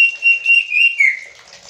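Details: A Black-capped lory, said to talk like a human, gives a drawn-out, clear whistled phrase, wavering slightly in pitch and dipping near the end, lasting about a second and a half.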